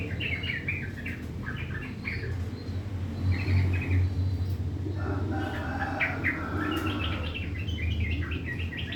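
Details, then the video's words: Morning song of a sooty-headed bulbul kept under routine care, the harsh 'ngriwik' style: bursts of quick, rasping chirps and short trills, some notes lower and fuller, with a constant low rumble behind. "Gacor Trucukan bunyi kasar di pagi hari"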